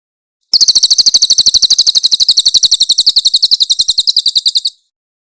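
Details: Grey-headed canary-flycatcher, recorded as a loud, clear training master for songbirds, gives a single four-second burst of harsh, rapidly repeated high notes, about eight per second, a rough 'tembakan' trill ending abruptly.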